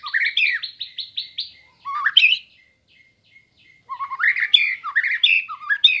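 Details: Energetic song of a murai batu sambo (white-rumped shama), kept as master material for teaching birds: a fast trill of buzzy repeated notes, then rising whistles, a pause with faint chips, and a varied warbling outburst.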